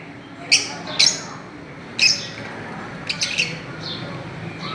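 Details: Fischer's lovebirds playing on a swing give sharp, high chirps, single or in quick pairs, spaced about a second apart over a soft steady background hiss.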